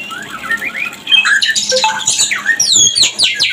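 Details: White-rumped shama mating song, used as a lure to bring birds into breeding condition: rising and falling whistled notes, then a dense burst of sharp, high, sweeping chips and clicks overlapping in a busy, scratchy flurry.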